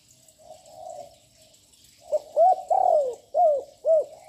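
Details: Spotted dove, a young bird with a big voice, cooing repeatedly to provoke other birds: a soft low coo, a pause, then a rapid run of five loud, ringing, curved notes, one long and sliding downward.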